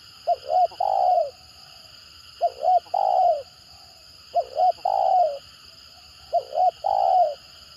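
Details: Spotted dove giving the stuttering 'gagap' call style: two short clipped coos, then a longer falling coo, the phrase repeated about every two seconds over a steady high electrical-like hum.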